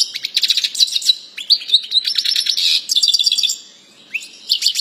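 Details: Continuous European goldfinch song praised as flawless, packed with fast liquid twitters, sweeping chirps and buzzy rattles in rapid bursts, one brief pause near the end before the twittering resumes.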